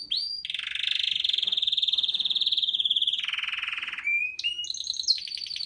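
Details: Male canary singing to his female, 2018: a sustained buzzing rolling trill, dropping lower partway, followed by short clear whistles and quick rapid trilled phrases.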